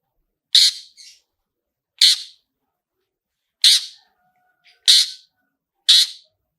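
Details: Long-tailed shrike giving its "toet toet" sound, used as a lure to set other shrikes singing. Harsh, rasping notes come singly about every 1.3 seconds, some with a short softer note after them, against silence.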